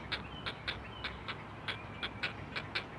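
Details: Four great blue heron nestlings at a live-camera nest in the Chesapeake area calling for their mother: a quieter run of short, dry, ticking notes over a low background hum.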